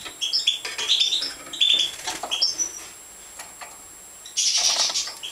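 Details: European goldfinch, Major form, being fed: dense runs of piercing high chirps for two seconds, a short lull, then a burst of hissy, scratchy calling.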